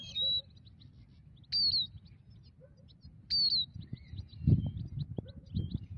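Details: Migratory European goldfinch during net trapping: three strong, high whistled calls gliding downward, roughly every one and a half seconds, followed by soft twittering chirps and some handling thumps near the end.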